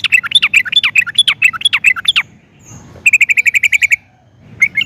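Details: Singing sooty-headed bulbul, lively 'gacor' style, recorded for use as a lure. Dense warbling phrase of varied up-and-down notes, a brief pause, then an even, rapid trill of identical chirps, and a final short note.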